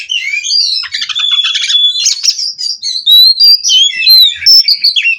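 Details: White-rumped shama bred in Cirebon rolling without a break: stuttering buzzy notes, a long steady whistle, then bright rising and falling whistled phrases.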